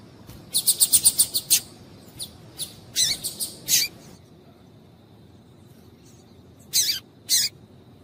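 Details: Female double-collared seedeater calling to provoke male song: a quick run of about eight rapid high chips, then a looser group of four, a pause, and two final sharp notes.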